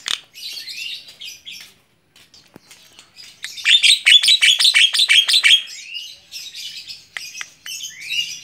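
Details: Tame Javan myna (jalak kebo) chattering on a person's hand: scratchy, varied high notes, then a burst of rapid repeated clicking chips at mid-clip, followed by more scattered squeaky phrases.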